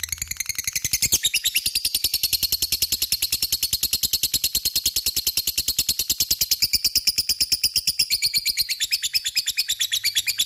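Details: Lovebird singing in the long ngekek style, used as a lure to draw a response from rival lovebirds: a rapid, unbroken, buzzy chatter of shrill high notes pulsing steadily for over ten seconds.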